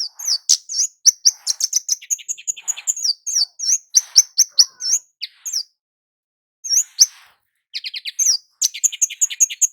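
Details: Kemade jawa (flowerpecker) used as a lure to get males and females calling: rapid high chirps and twittering ticks, a silent pause near the middle, then more quick chirps and a brief rattle.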